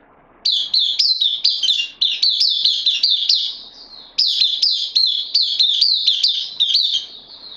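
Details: Kept bulbul, a newcomer on loan, dated 12 September 2020: two long bursts of rapid, bright whistled notes, each dipping and rising in a quick warbling pattern, with a short pause between the bursts and a quiet background.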